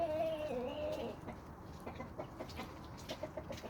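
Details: Chickens and roosters on a small suburban homestead: a drawn-out wavering call at the start, then quick irregular clucks and pecking-like ticks, about three per second, over low background noise.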